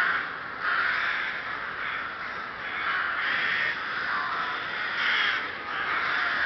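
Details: Rooks at the Ptačí ostrovy nature monument in Chrudim, Pardubice Region, Czech Republic, on 30 May 2011, giving a dense overlapping chorus of harsh, hoarse caws that swell and fade every second or so, with no pause.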